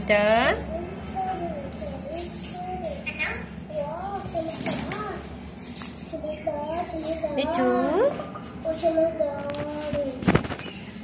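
An Indian ringneck parakeet talks in a high, childlike voice, with short phrases that swoop up and down and a few sharp squeaks between them.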